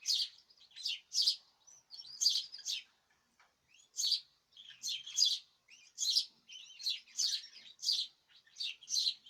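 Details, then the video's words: Caged birds chorusing, recorded 2026/03/14. Sharp high chirp bursts come in an uneven rhythm, about one every second, with softer twitters filling the gaps. "تغريد جماعي للطيور"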